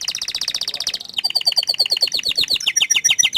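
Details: Canary, described as shy about showing its face, singing a fast, even trill for about a second. It then shifts into a second rapid series of sharp, high repeated notes that runs to the end.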